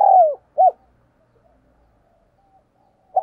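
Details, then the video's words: Spotted dove used as a decoy, cooing vigorously to stir up wild birds: a long falling coo, then a short arched note, with a new phrase beginning after a quiet gap. "Chim Cu Mồi Gù Thúc Bổi Nghe Hăng Nên Và Rất Siêng Gáy"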